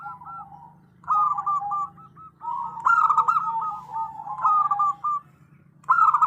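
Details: Female zebra dove calling the male, a local bird used as a lure; several runs of quick, bubbling coos separated by short pauses, the last burst loud and abrupt, over a faint low hum.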